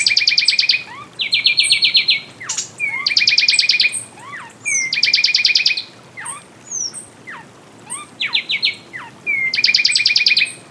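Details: Fulvous wren song: loud bursts of rapid, buzzy, rattling trills alternating with short downslurred whistles and high sharp chips, phrases repeating roughly every one to two seconds against a quiet background.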